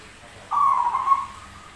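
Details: Rare zebra dove with a strange voice that sings readily: a single sustained, slightly quavering whistled note of under a second, flat in pitch with small wobbles, in a quiet setting.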